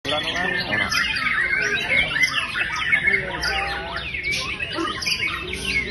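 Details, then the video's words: White-rumped shama, a bird that had earlier been nglowo and cannibalistic, now singing strongly: dense, varied run of whistled and chattering phrases, many rapid notes sweeping up and down, continuous throughout, with other birds faintly behind. "burung yg kemarin kanibal nglowo skrg tampil edaaaan #muraibatu"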